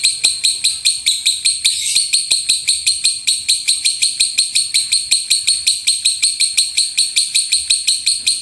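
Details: Master-recording lovebird song in the gemuruh tembakan style: high rasping notes beating in a fast, regular chatter, about three pulses per second, sustained without pause.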